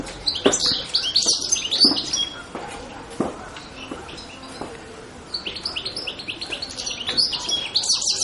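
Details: European goldfinch with an energetic, rapid twitter of high, jangling chirps in a long burst, a quieter gap of scattered notes, then another fast twittering run.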